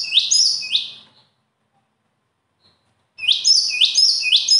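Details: Shrill, bright bird song heard as a burst of two high notes, then near silence, then a fresh run of piercing repeated sweeps to the end.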